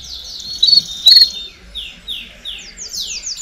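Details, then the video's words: Canary song, a raucous mix meant to stimulate young birds to sing faster: two loud bright trilled bursts early on, then a run of high, rapidly descending trill phrases toward the end. "Baderna de Canario Do Reino Canto Para Estimular Filhotes a Cantar Mais Rápido"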